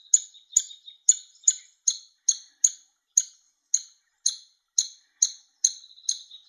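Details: Woodpecker chick begging while its father feeds it; series of thin, high squeaky chips, about two per second, evenly spaced and insistent.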